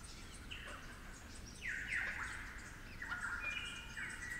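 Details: Flute-accented superb lyrebird song from damp forest in the Werrikimbe Wilderness, New South Wales: melodic whistled phrase of sharply descending slurs followed by level, fluty notes, over faint forest background.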